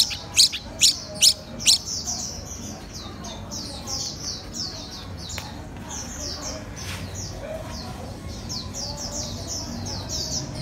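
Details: A red-whiskered bulbul (Pycnonotus jocosus) learning to eat cricket abdomens calls: four loud, sharp chirps in quick succession, then a steady stream of thin, high chirps about twice a second.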